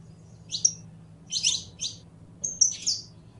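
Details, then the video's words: Canario criollo (saffron finch) song: three short phrases of buzzy, high chirped notes about a second apart, clear above a soft low hum. "CANTO DE CANARIO CRIOLLO CANTANDO"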